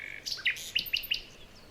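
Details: Short high chirps from a bird in a morning forest, a few rapid tweets followed by three evenly spaced sharp notes.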